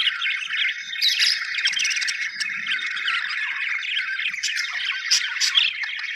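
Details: Budgerigars, said to be happy, keep up a busy flock chatter: overlapping warbling chirps and short squeaky notes, plus a few sharp clicks, steady throughout.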